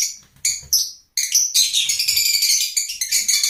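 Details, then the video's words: Piercing lovebird squeaks, including a sharp down-slurred note, lead into dense, scratchy twittering that runs almost without pause. "Love Birds Nature Sound"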